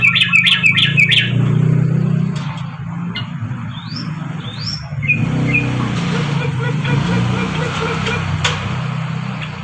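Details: A Sooty-headed bulbul gives a quick burst of bright chirps, then a few short rising whistles, over steady traffic rumble and faint voices.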